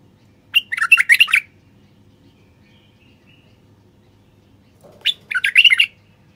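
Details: Male Moroccan common bulbul song, used to stimulate silent wild bulbuls to sing and mate: two short bright warbled phrases of quick fluttering notes, about four seconds apart, over a quiet low hum.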